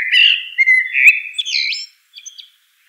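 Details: Common blackbird giving one long fluty warbled phrase that wavers and climbs, finishing in a squeaky high flourish and two faint chips; no other sounds present.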